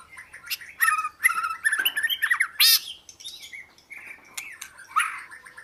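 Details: Oriental magpie-robin song of mixed chirps, buzzy rasping notes and slurred whistles, busy in the first half, then sparser clear whistled phrases.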